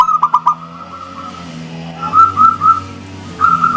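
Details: Local zebra dove singing its engkel song style, which draws answering birds: a quick stutter of clear cooing notes near one pitch, then two sustained coos and a later pair, over a steady low hum and a faint high whine.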